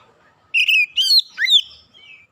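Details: Oriental magpie-robin lure song, used to make reluctant birds sing: a short, loud phrase of bright sustained whistles ending in a dipping, slurred note.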